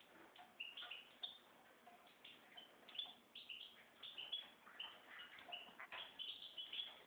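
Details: Red mosaic white goldfinch mule singing a busy twittering run of short high chirps and brief whistled notes, given in quick bursts about every half second, with a dull, muffled background.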